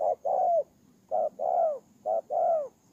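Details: Spotted dove decoy bird from Kon Tum, Vietnam, recorded in Tumorong in September 2018, cooing steadily: a clipped first note, then a sustained falling second note, three phrases in quick succession.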